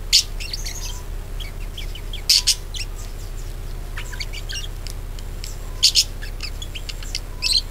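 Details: Budgerigar chirping played to encourage other birds to sing: loud sharp squeaks recurring every few seconds, with softer high twitters between them and a constant low hum beneath.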